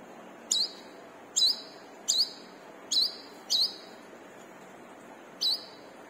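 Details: Brown-throated sunbird, caged-bird lure song: repeated sharp high notes with a brief hooked inflection, about one per second then a longer pause, over faint background hiss.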